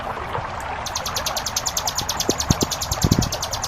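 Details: After a brief lead-in of water noise, a ciblek gunung launches into a quick 'ngebren' run of sharp, high repeated notes, with a few low knocks and splashes of flowing water around it. Recorded for tutoring cage birds.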